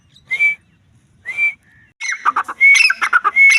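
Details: A female grey francolin (teetar) sounds two short upward whistles and a faint lower note, then breaks into loud, rough, crowded chattering laced with whistles.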